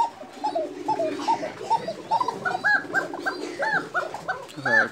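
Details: A female Bashiraj Koka pigeon, one of a new breeding pair in Tangail, gives soft, repeated cooing notes while a man talks nearby.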